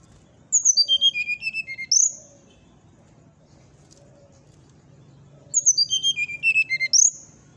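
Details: Two fluting 'nyuling' phrases from a brown-chested jungle flycatcher, said to rouse rival birds nearby. Each phrase is a descending cascade of pure whistles ending on a high upward note. The phrases are about five seconds apart over a low hum.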